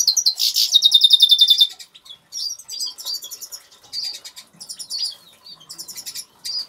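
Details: Captive Major (agate-colour) European goldfinch sings in an aviary: a high, bright song, first a fast buzzy trill, then quick liquid twittering phrases with short pauses.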